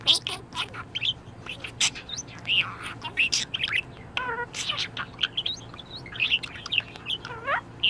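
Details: Budgerigar kept as a pet, in a very good mood, chattering busily: a dense stream of bright, high chirps, clicks and looping warbled notes with almost no pauses, plus a few lower sliding squeaks.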